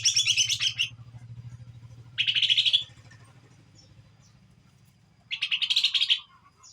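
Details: Young Kuningan greater green leafbird learning ngeplong: three separate bursts of shrill, rattling twitter, each under a second long, separated by pauses of about two seconds, with a low hum underneath.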